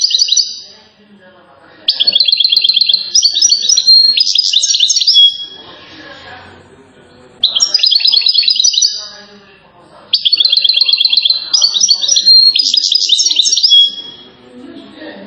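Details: European goldfinch from Settat, Morocco, in a rare recording of a bird nicknamed the king of singers: three long bursts of rapid trills, tinkling notes and sliding whistles, separated by short quiet gaps with faint background sound.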